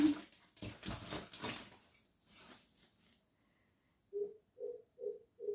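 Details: Two greater coucals calling at a window with different calls: loud rustling and knocking noise at first, then, after a quiet gap, four deep, round hoots evenly spaced about half a second apart.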